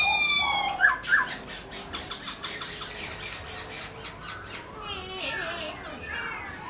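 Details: Black-throated laughingthrush, a pet songbird, singing while displaying, used to stir caged laughingthrushes to sing: harsh squawking notes open into a fast buzzy run of rattling pulses, then fainter whistled and slurred phrases, against a steady background hiss.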